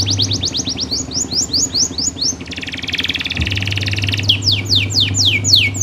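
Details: Canary song for tutoring young or silent canaries: repeated sharp downward-slurred high notes, a harsh buzzy rattle in the middle, then more quick swooping notes over a steady low hum.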